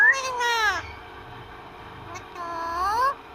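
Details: A pet parrot talking with its owner: two drawn-out, nasal, mewing phrases, the first sliding downward and the second curving upward, separated by a quiet pause.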